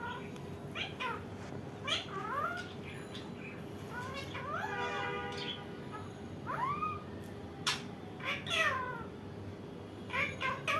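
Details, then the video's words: Indian ringneck parakeet chattering in a string of bent, nasal calls and quick upward-swooping notes, with a few sharp clicks and a constant low hum behind. "Indian ringneck ! mithu mithu🦜 very funny parrot"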